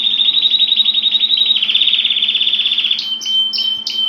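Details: Canary singing: a fast, rapidly pulsed high trill held for three seconds, slightly falling, then broken into short bright whistled notes and a steady high tone, with a faint low hum beneath.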